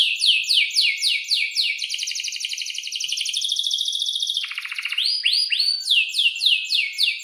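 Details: Canary in breeding condition singing a long, lively song used to tutor young canaries: quick down-slurred chirps repeated rapidly, flowing into a long buzzy rolling trill that briefly drops lower, then swooping chirps again.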